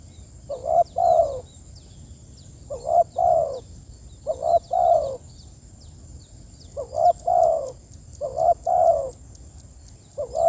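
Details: Spotted dove calling to its companions, giving repeated mellow cooing phrases of two or three notes roughly every one and a half to two seconds, with a quiet steady hiss behind.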